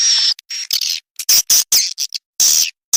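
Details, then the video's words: Edible-nest swiftlet lure call for drawing birds into a nest house: short harsh buzzy chirps and squeaky notes in uneven bursts separated by silences. "SUARA WALET RESPON"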